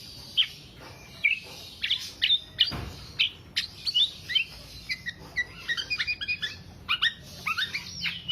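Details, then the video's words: Black-naped oriole song used as a lure and master recording for songbird keepers: scattered sharp chips and short whistled phrases that build into a faster, tumbling chatter in the second half. "Kepodang Podang kicau sampe telerrr"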